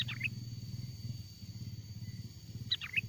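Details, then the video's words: Sooty-headed bulbul, a lure recording of real wild-bird song used to draw wild bulbuls closer: two brief, bubbly whistled phrases rising and falling, one at the start and one near the end, over a steady low rumbling hum. "SUARA PIKAT BURUNG KUTILANG GACOR, PANGGILAN KUTILANG LIAR AGAR MENDEKAT!!"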